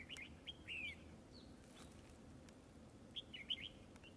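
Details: Red-whiskered bulbul recorded during decoy trapping: clear, lively phrases of slurred descending and rising whistles at the start, a pause, then another bubbly phrase, with steady low background noise.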